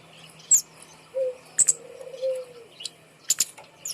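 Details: Hung-up kemade bird used to encourage silent birds to sing gives isolated high, thin chirps and paired clicks, spaced irregularly over a low drawn-out whistled tone.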